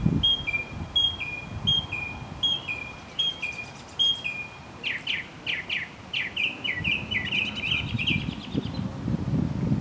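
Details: Northern mockingbird singing at Arlington National Cemetery, Virginia, USA, on 30 May 2015: a clear two-note whistled phrase repeated six times, then a run of buzzy downslurred notes, then a fast rising trill, over distant rumble.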